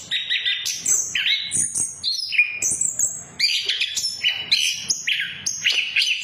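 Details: Orange-headed thrush song used as a lure to get other birds singing: a rapid, varied run of whistled and chattering phrases jumping between mid and very high pitches, delivered continuously with no other sounds.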